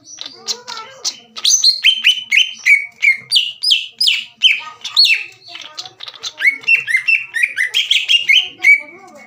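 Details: Green leafbird, known locally as cucak ijo, singing a provoking gacor song for rival birds: continuous rapid chirps and slurred whistles, loud downward-sweeping notes repeated in quick succession over a faint lower warble.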